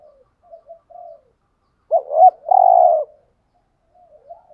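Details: Spotted doves, male and female, cooing as a lure for wild doves; low soft coos precede a quavering double note and a powerful sustained coo, with faint coos resuming afterwards.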